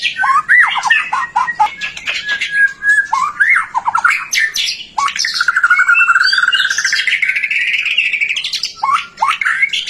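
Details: White-rumped shama in full song, meant to stimulate other shamas into singing; quick harsh chattering notes lead into a long buzzy rising phrase, then further sharp squawky calls.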